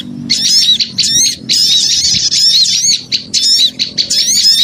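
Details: Noisy chorus used to lure small birds: bursts of high, squeaky, wavering chirps from several birds at once, coming in clumps with short dips between them.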